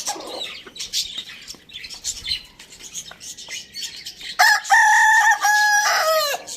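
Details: Village farm rooster, part of a group eating tomato, delivers a loud crow of about two seconds late in the clip, a steady held note with a falling tail, preceded by quieter clucking and twittering birds.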